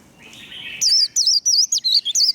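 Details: Warbling white-eye 'líu' song for firing up fighting birds: a faint soft buzz, then a quick series of piercing, wavering high whistles in short separate phrases.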